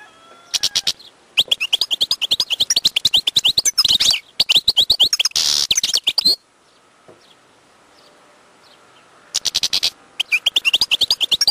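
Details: Wild European goldfinch singing long runs of quick, evenly repeated twittering notes and buzzy trills, breaking off into a few seconds of near silence before a final rattling burst.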